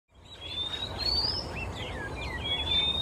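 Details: Male Oriental Magpie-robin singing in Singapore on a quiet afternoon, moving from perch to perch. Clear, sweet whistled notes that glide upward, plus short looping twitters, over a steady low background hum.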